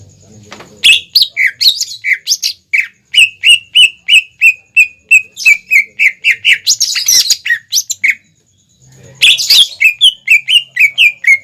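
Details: Greater green leafbird singing energetically as a lure for young and untrained birds to imitate; a fast run of short, bright whistled notes, about three per second, with a brief pause before the rapid burst resumes.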